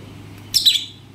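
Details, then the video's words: Alexandrine parakeet (Psittacula eupatria), a talking parrot, gives two quick, high, slightly harsh chirps in close succession over a faint steady indoor hum. "Talking parrot chirping sounds"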